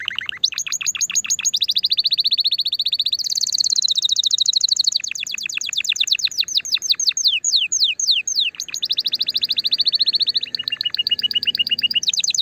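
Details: Song of a canary, played to stimulate the female and encourage mating: continuous rapid trills and rolls, shifting between rising sweeps, buzzy tours and fast repeated notes, with no pause for twelve seconds.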